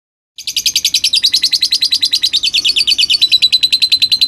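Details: A lutino rosy-faced lovebird from Gresik, East Java, delivers a long, rapid chattering trill of sharp, high notes, about three per second, running unbroken with no other sounds.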